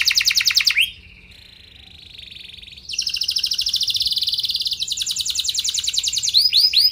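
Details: Canary song meant to draw responses from other canaries: a rapid high rattle, then a thinner sustained buzzing trill, then a bright fast trill ending in a few swooping notes.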